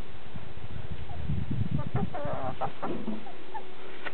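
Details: Chickens recorded close up, giving soft low clucks and murmurs in an irregular stream, with a few brighter short notes, all over a loud steady background rumble.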